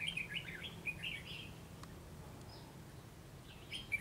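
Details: Red-whiskered bulbul singing on a treetop, delivering a quick run of clear, chirpy warbled notes in the first second and a half, then near silence before a final short bright phrase, over low steady background noise.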